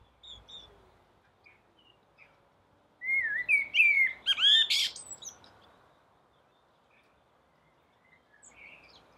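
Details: Common blackbird singing from a rooftop during the dawn chorus: a loud burst of rich whistled and warbled phrases around the middle, ending in higher squeaky twitters, with faint distant birdsong before and after.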